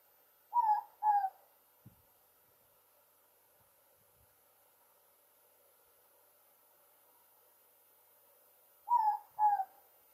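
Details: A ruru (morepork) calling from the top of a mamaku tree fern at Aongatete, 19 October 2020: two-note hoots near the start, a long silent pause, then another two-note pair near the end, in a quiet setting.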